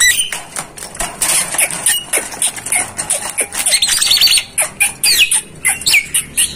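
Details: Javan myna in a tutor recording meant to teach other mynas: a dense, high stream of quick chirps, clicks and short whistles repeated rapidly with little pause.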